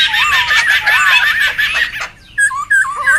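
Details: Noisy wild laughingthrushes, a recording meant for luring and tutoring: a loud burst of looping whistles over harsh chatter, a brief pause, then a few clear slurred whistles.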